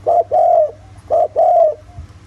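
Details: Spotted dove cooing in the 'giọng thổ' voice style, used as a lure to make other doves call: two low, hooting coo phrases, each a short note followed by a longer level note, over a steady low hum.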